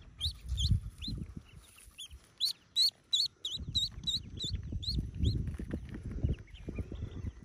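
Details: Yellow ducklings, about forty, hatching in a cave nest; loud, shrill, arched peeps in quick uneven bursts, several overlapping, with low thuds and rustling between.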